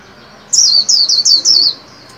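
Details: Caged white-eye being trained to sing at the new year, giving a high, bright phrase of four quick descending whistled notes, each slurring downward, delivered in just over one second.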